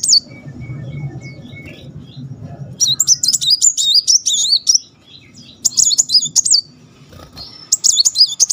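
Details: Muncang sunbird singing the tembakan roll rapet pattern used to train other songbirds: a thin steady note, then several bursts of rapid, high, zigzagging whistles amid low background rumble.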